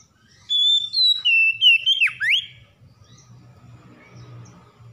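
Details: Stressed Oriental magpie-robin, goaded into song, delivers a string of clear whistled notes that drop step by step, closing with dipping and rising slurs. A soft low hum follows in the quiet afterwards.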